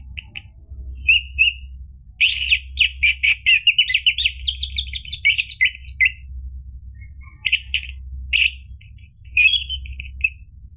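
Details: Orange-headed thrush song used as a lure so a caged bird begins singing: a long varied sequence of loud whistled notes and rapid trilled series, broken by short gaps, a few sweeping whistles near the end.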